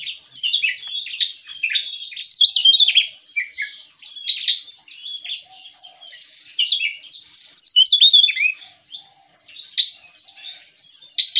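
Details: Long, energetic outpouring of song from a Javan tesia in gacor ngeplong style, high tinkling and twittering notes tumbling almost without pause in several loud surges, over a faint low hum.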